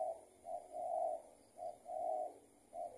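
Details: Spotted dove answering a decoy during trapping, the target proving to be an escaped tethered decoy bird; soft, low coos in short and longer notes, repeated roughly once a second over a faint hiss.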